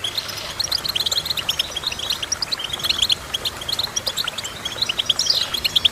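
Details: Goldfinch song made of clusters of sharp, bright chirps in quick succession, with a brief sweeping whistled note near the end.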